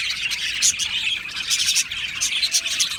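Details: Budgerigar colony in an aviary singing and chirping: busy high twittering with bright short whistled notes popping out of a constant chattering backdrop.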